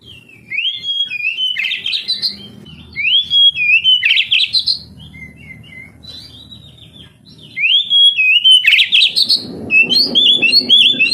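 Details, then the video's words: Kacer, the oriental magpie-robin, singing, a recording meant to prompt young canaries to sing: loud phrases of rising whistles and sharp twittering come in three bursts, separated by quieter pauses with a faint low rumble. "Terapi Kacer tercepat | kenari paud malas bunyi langsung NGADU"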